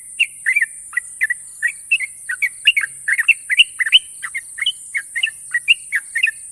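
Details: Sooty-headed bulbul, a national champion bird, singing a long, sharp trilled song: rapid bubbly chirped notes repeated without pause, with a steady high hiss throughout.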